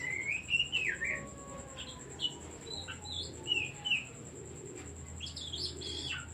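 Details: Oriental magpie-robin singing as bait for sluggish songbirds: a fluid warbled opening followed by scattered short whistled notes and faint clicks, with a persistent high tone and low hum.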